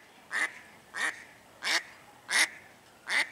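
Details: Female mallard calling noisily, apparently upset, while swimming around a marina at Lakefront Promenade Park: five loud, harsh quacks, one roughly every two-thirds of a second, over a light background hiss.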